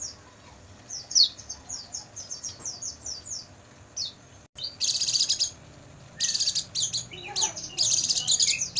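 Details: Night recording of Oriental white-eye song for training caged birds: thin descending twitters, then dense loud chattering bursts of high notes in the second half.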